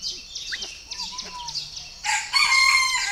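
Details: Purebred Chinese francolin at a bird farm in Ba Vì district, Hanoi, Vietnam. Soft chirps and scattered high notes open, then a loud harsh burst of rich, ringing harmonic notes fills the final second.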